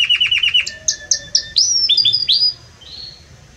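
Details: Loud, warm Belgian canary song: a run of rapid falling notes, paired whistles at two pitches, bright rising-then-flat phrases, and a closing soft steady whistle.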